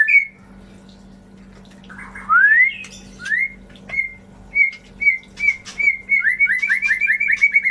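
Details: White-rumped shama song used as a lure to stimulate birds that stopped singing: after a quiet start, clear whistled notes and upslurs, then a fast rattling series of repeated whistles near the end, over a steady low hum.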